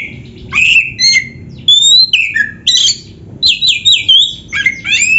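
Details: Oriental magpie-robin pouring out dense song fills: varied loud whistles, slurred downward and upward phrases and brief harsh notes in quick succession, almost continuous, over a faint low hum.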